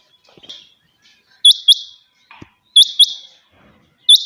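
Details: Morning calls of kept quail: crisp, very high paired notes, two quick strikes close together, repeated roughly every 1.3 seconds over a quiet background.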